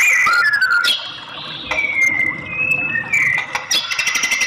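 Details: Female white-rumped shama calling to stir a male into singing: clear whistled notes, a high descending slur then long level and gently rising tones, broken by sharp clicks and faint chatter.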